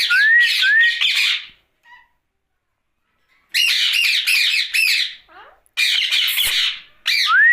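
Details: Night-time talking from a Rose-ringed parakeet: rising whistles mixed with loud grating squawk series, a long pause with faint notes, then renewed squawking and a final upward whistle.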